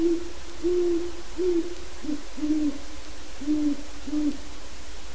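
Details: Wild Great Horned Owl (Bubo virginianus) visiting a yard and pen where captive owls breed gives deep, soft hoots, about six in four seconds, some slightly lower, over a quiet low hum.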